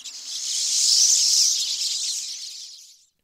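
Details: A winter flock of Pine Siskins calling all at once, a dense, high, wheezy chatter of their characteristic strongly rising notes that swells and fades over three seconds.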